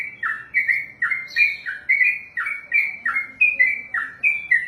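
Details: Continuous ropelan from a yellow-vented bulbul, a caged trained bird: loud, bubbling, two-part whistled notes that fall and rise, repeated rapidly without a break.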